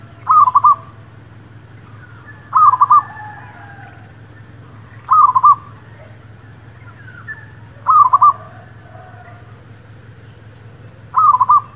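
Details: ['Merbuk kampung, the local zebra dove, singing as a trapping lure: five crisp phrases of rapid rolling coos, each repeated about every 2.5 seconds, with faint chirps and whistles of other birds in the background.']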